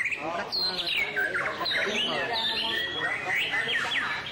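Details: Song display of a white-rumped shama, a rapid stream of clear whistles, quick slurred notes and chattering bits, with low human voices murmuring at the start.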